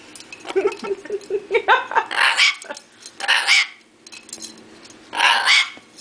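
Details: A pet bare-eyed cockatoo being entertained by its owner gives three harsh, raspy screeches, each about half a second long, after a run of shorter chattering notes and knocking sounds.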